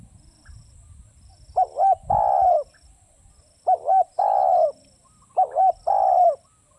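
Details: Spotted dove calling: three low cooing phrases about two seconds apart, each two quick short hoots followed by a longer, louder coo, with a low rumble and a faint steady high hiss behind.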